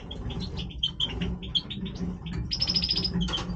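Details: Breeding European goldfinch song of short high chirps and twitters, followed by a fast, evenly pulsed trill and a final buzzy burst, over a low background hum.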